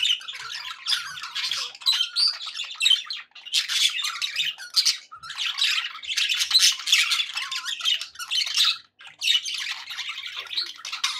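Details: Cheerful pet budgies keep up a long stream of scratchy, buzzy chattering and squawks, pausing briefly around three and nine seconds before carrying on.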